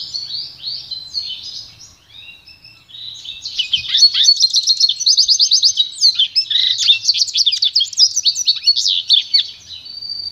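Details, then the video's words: Song of a goldfinch × canary hybrid for training: soft warbling opens, then from about three seconds a loud, dense series of rapid trilled phrases and twitters, ending on a drawn-out high note. "canto puro do pintagol"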